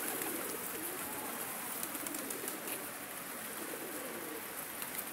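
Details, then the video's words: Pigeons give soft, low cooing murmurs beneath a steady hiss that sounds like rain or wind. "Güvercinler sesleri"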